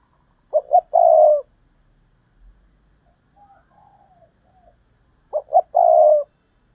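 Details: Spotted dove giving 'gáy thúc' and 'gáy gọi' coos, a double-ending style called 'hai hậu' in Vietnamese. Two short coos are followed by a long drawn-out coo. The phrase is heard twice, with soft, quieter notes in the pause between them.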